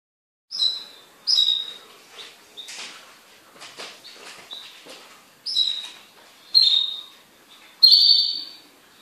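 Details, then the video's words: A kept pet goldfinch sings: bursts of bright, high twittering notes and short buzzy trills, each phrase ending in a clear whistled tone, with short pauses between phrases. "MI JILGUERO"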